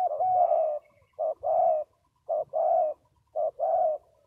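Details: Spotted dove repeating a two-part coo, a short note then a longer husky one, about once a second, loud and clear.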